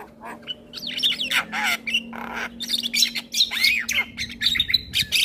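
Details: Male Javan myna singing a full, varied song used to prompt young mynas to sing: rapid mix of high whistles, sweeping slurred notes and harsh buzzy bursts, with almost no pauses and a faint low hum beneath.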